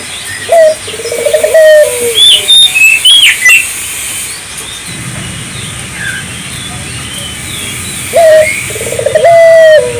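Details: Spotted dove song played to stir local doves into singing: a rolled trill and level falling coo at the start and again near the end, while other small birds chirp and whistle high in between.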